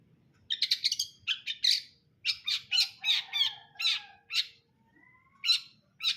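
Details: Long-tailed shrike (cendet brundol) singing: a run of harsh, scratchy chattering bursts in quick clusters, with two short pauses and a faint thin rising whistle near the end; quiet background otherwise.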